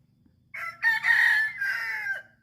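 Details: Chicken crowing once, a loud hoarse cock-a-doodle-doo in several strained, rising and falling segments lasting about a second and a half, with faint low background rumble.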